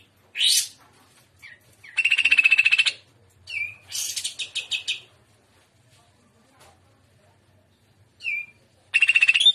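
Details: Greater green leafbird in trotolan style song, gacor and udang style: separate bursts of high buzzy trills and sharp slurred whistles, broken by silent gaps of one to two seconds.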